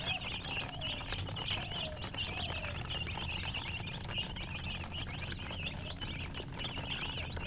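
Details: Domestic chicken chicks chirping, a steady chorus of high, short peeps repeated rapidly throughout, with a few fainter lower notes and a continuous low hum beneath.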